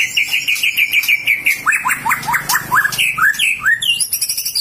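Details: White-rumped shama singing loudly: a run of repeated bright whistled notes, then a series of sharp downslurred whistles, ending in high, thin rising phrases.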